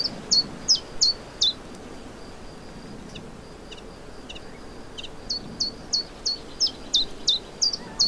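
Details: Common chiffchaff (Phylloscopus collybita) singing in spring, 29 May 2023, in the Vilaine estuary, Morbihan, Brittany: high sharp alternating chiff-chaff notes about three per second, a pause midway, faint rural background.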